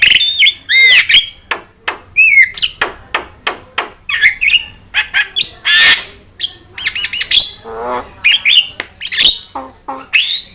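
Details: Javan myna tutor song: a long busy medley of sharp clicks, slurred whistles, squeaky chirps and harsh rasps, delivered almost continuously with brief pauses.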